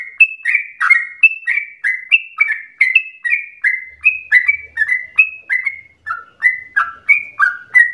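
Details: Continuous bubbly song of a yellow-vented bulbul, intended as a lure to spur other bulbuls into rapid, long-breathed singing. Short downslurred whistled notes follow each other briskly, with a faint low hum midway.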